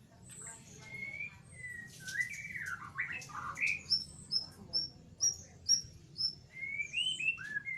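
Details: White-rumped shama in ngeriwik style, used as a lure to get a silent shama singing: varied whistled slurs in the middle range, then a run of short, high repeated chips about twice a second, over a low background hum.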